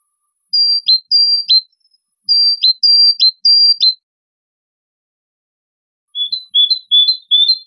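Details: Great tit song made of clean whistled phrases, a long flat high note dropping sharply to a lower one, repeated in two bursts; after a pause comes a softer run of short lower double notes. No other sounds are audible.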